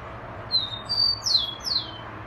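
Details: Rufous-collared sparrow song with a thin level whistle, a second higher held whistle, then two bright downward-slurred trilling phrases, loud and clean against quiet background hum.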